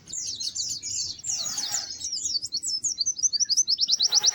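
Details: Melodious white-eye song of high, slurred chirps strung together quickly, ending in an even, rapid trill of sharp notes repeated about six times a second, with a faint low hum beneath.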